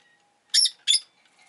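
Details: Two loud, harsh, high chirps from a rosy-faced lovebird in quick succession, each a brief squeaky burst, against near silence.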